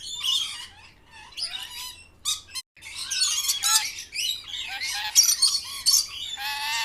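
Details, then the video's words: Green parrots at lunch time give a dense run of harsh, raspy squawks mixed with short chirps and tweets. The calls come in overlapping bursts with brief pauses between them. No other sounds stand out. "Parrot Lunch Time"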